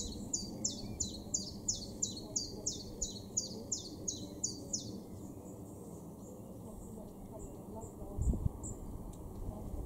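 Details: Common Chiffchaff singing in a garden in Norden, East Frisia, far northwest Germany, in April 2023: a brisk run of high, alternating chiff-chaff notes, about two or three per second, over a low background rumble.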